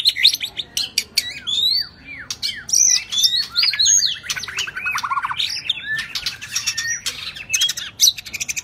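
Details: Rich, nonstop singing from a shrimp-tail White-rumped shama in the 'rít thuốc lào' manner: sharp clicks, high slurred whistles, rapid rattling trills and downward-sweeping notes packed tightly together.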